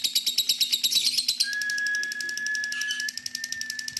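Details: Long ngekek chatter from a female lovebird: rapid high chirps at a brisk pace that smear into a denser, blurred run of sound midway, then return as distinct pulses, with a steady background tone throughout.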